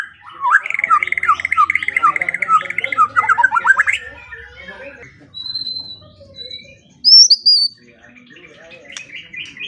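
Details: White-rumped shama song as masteran for training songbirds in the morning and evening: a long scratchy trilling chatter, then sparse thin whistles and one sharp burst, over faint low background noise.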